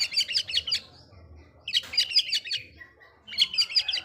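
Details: Oriental magpie-robin singing to provoke rival magpie-robins, three bursts of rapid, chattering high notes, each trailing into a slurred whistle, with quiet gaps between.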